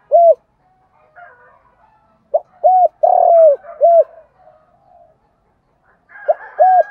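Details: Spotted dove giving its morning lure call meant to draw wild doves. A lone low hoot, then a phrase of arched coos around one long buzzy note, and a final pair of hoots, with soft bird chatter between.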